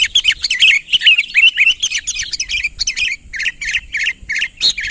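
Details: Unmixed calling of a sooty-headed bulbul luring a rival closer: tight bursts of chattering chirps early, easing into separate, evenly spaced short notes with clicking sounds between them.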